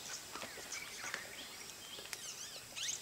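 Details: Common iora (Aegithina tiphia) at Jungle Retreat Resort, Masinagudi, Mudumalai Tiger Reserve, giving thin, high whistled notes and brief chattery phrases, with other faint bird calls and soft rustling behind.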